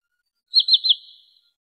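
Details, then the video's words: Wood sandpiper call used as a lure for bird trapping: one quick burst of three high, downslurred whistled notes, clean and without background noise. "SUARA BURUNG TRINIL SAWAH COCOK UNTUK MIKAT atau PIKAT"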